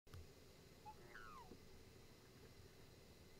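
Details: A black swan at Atkinson Dam, South-East Queensland, 19 January 2024, gives a brief soft note, then a single nasal, bugling call sliding downward, over a low rumble of wind or water.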